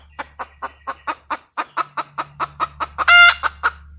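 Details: Red junglefowl hen cackling: a long series of evenly spaced, slowly quickening clucks that ends in a loud drawn-out squawk and two final clucks, with a constant high whine behind.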